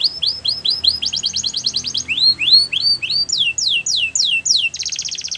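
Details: Canary song with repeated rising slurs, a quick run of chips, further upswept notes, descending sweeps, and a closing buzzy trill, high-pitched throughout.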